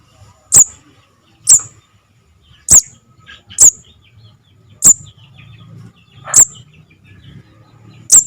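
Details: Lure call of a young Javan cuckoo for trapping: seven piercing, thin chirps repeated about every second, each brief and slightly inflected, over a faint low murmur.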